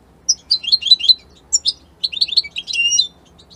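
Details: Italian European goldfinch delivering three quick bursts of high, cheerful twittering, with rolling chirps, slurred notes and a short buzzy trill at the end.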